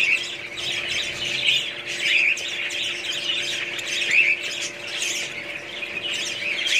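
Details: Budgies in a group giving steady high-pitched warbling chatter, with scratchy squawks and brief whistled notes layered together, over a soft constant background hum.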